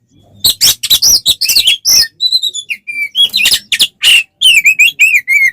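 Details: Oriental magpie-robin in 'ngeplong tarung' fighting song, used to provoke other birds: rapid mix of harsh buzzy bursts and clear whistled notes, some rising and falling in wavy slurs, delivered in quick clusters with short pauses.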